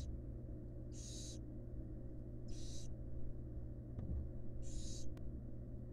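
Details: Female barn owl tending and feeding fledglings in a research-monitored nest box: three breathy, hoarse hisses spaced about two seconds apart, with a couple of faint clicks and a steady background hum.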